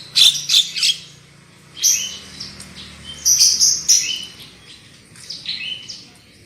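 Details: Black-winged myna song from a lure recording for getting birds to sing loudly: clusters of loud harsh squawky notes separated by pauses, mixed with descending whistled slurs.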